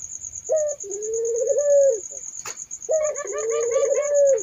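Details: Two spotted dove coos, each a brief raised opening note followed by a long, even, mellow hum. A sharp click falls between them, over a constant shrill insect-like buzz.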